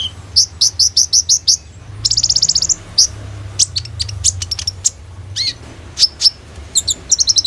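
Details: Energetic kolibri ninja sunbird song, phone-recorded for use as a lure: regular high chip series, a fast buzzy trill, scattered sharp notes and a final rapid burst, with constant low hum.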